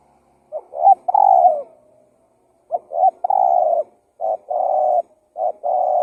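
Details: Spotted dove lure call, 'tekukur gacor KUK 1' style for attracting wild doves: three-part cooing phrases, two short notes then a longer low hoot, repeated about every two seconds in quiet surroundings.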